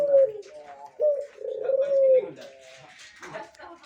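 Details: Mature Barbary dove in a cage, said to be ready as a master bird, delivers low, drawn-out coos in quick succession, then a brief human voice and clatter.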